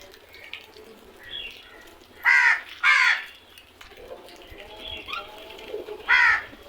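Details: Crow calling in loud rasping caws, a close pair near the middle and a single caw near the end, with faint softer bird notes between them.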